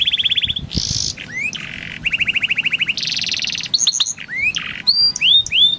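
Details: A yellow Timbrado canary sings a fast, varied training song of rapid trills, buzzy rolls and sweet rising whistles, each phrase changing quickly to the next.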